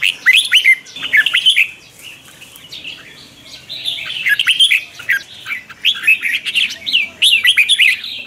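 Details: Red-whiskered bulbul practising its morning song, a twisting voice meant for training other birds; lively chains of warbled, slurred whistles run almost continuously, with a brief softer stretch in the middle.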